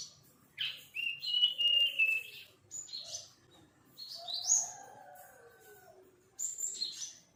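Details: Practising young sirpu bird delivers bursts of high whistled and slurred chirps in several phrases, with softer lower warbling notes in between.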